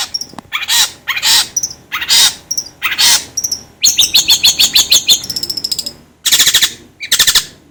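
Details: Long-tailed shrike stimulating sound: several broad, hissing harsh notes, then a fast rattling series of sharp high clicks and whistles, ending with two more rasping bursts.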